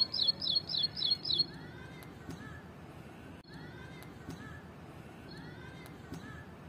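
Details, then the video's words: Ashy prinia (wren warbler, plain brown prinia) singing in a tree: five quick, sharp, high notes in a rapid burst of about a second and a half, then faint distant bird calls over a steady background hum. "Ashy Prinia Wren Warbler | Plain Brown Prinia Beautiful Sound and Voice | Song in the tree"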